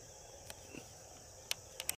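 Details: Male Siberian stonechat in India giving sharp, dry clicking taks, single then a quick double near the end, over a steady background hiss.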